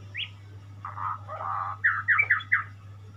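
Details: White-rumped shama, a pet bird indoors, giving a short upslurred whistle then buzzy warbled phrases and a run of four bright rising notes; steady low electrical hum underneath.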